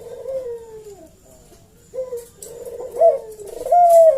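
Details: Eurasian collared dove lure call, played to make other doves answer. Soft falling coos, about a second long each, follow one another with brief gaps and end in a brighter, level, sustained note.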